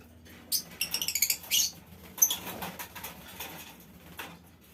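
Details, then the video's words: Colony of lovebirds in a small aviary, used as a tutoring recording for long ngekek; a run of rapid, harsh, squeaky chirps, then scattered fainter shrill notes. "Suara Lovebird Koloni Bikin Burung Lain Ikut Ngekek Panjang"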